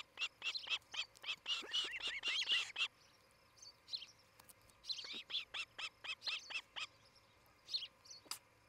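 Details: Breeding ospreys at their nest in rural Charlo, Montana, captured by a morning nest camera in 2018; dense, excited strings of high whistled chirps, about four a second, in two bursts separated by a short lull.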